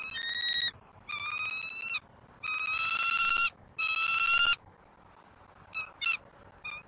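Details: Eaglet of the bald eagle at a Southwest Florida nest, 5 February 2024, being fed fish by its mother. Four strong, shrill, harmonic squealing notes in steady pulses, then a few faint short chips.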